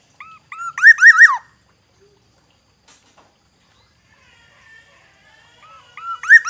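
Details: Black-naped oriole, a forest oriole from Aceh, sings a fluty phrase: short clear whistles leading into rolling slurred notes. The phrase is repeated after about five seconds of near silence, with faint background chatter between.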